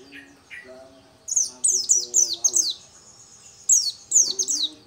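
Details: A local dakun-type Oriental white-eye delivering lively song, starting with two soft lower notes, then a fast string of bright, high falling chirps, a short pause and another run; doves murmur low underneath.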